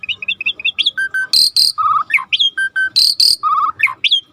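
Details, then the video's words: A starling's busy song: rapid clear whistles, slurred rising notes and buzzy phrases, broken twice by loud harsh rasping bursts, with no other sounds standing out. "Jalak Langka Masteran Alam Sungai | Deep Nature River Sound for Starling"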